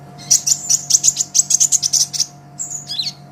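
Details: Olive-backed sunbird in full song, a master recording for training cage birds: a quick, even trill of about a dozen very high, piercing notes, then a short squeaky twitter, over faint background hum.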